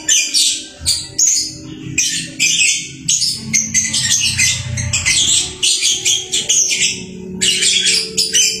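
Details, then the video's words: Lovebird singing busily, a dense, nearly continuous stream of sharp high chirps, squeaks and scratchy twitters in rapid bursts, with a low steady hum underneath. "Burung Lovebird rajin kicau"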